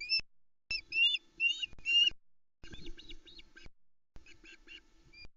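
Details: Osprey at the Loch Arkaig nest, Arkaig Community Forest, early on 10 July 2020 while the male brings a good-sized headless trout to the female and chicks: repeated groups of shrill whistled chirps, about one per second, with pauses between groups.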